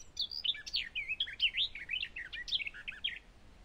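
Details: Eurasian skylark giving a fast, tumbling run of high warbled and slurred notes, rising and falling chirps packed closely together, against quiet background noise.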